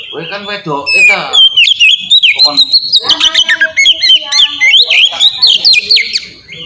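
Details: Kacer, the oriental magpie-robin, in ngeplong song meant as a lure to make young kacer sing: after a moment of people talking, a fast run of sweet whistled notes and sharp chips, rising and dipping, repeated about four times a second.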